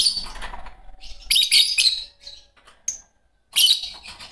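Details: Two green Fischer's lovebirds kept as pets give loud scratchy chatter bursts, a brief clipped whistle near three seconds, then another shrill burst after a moment of silence.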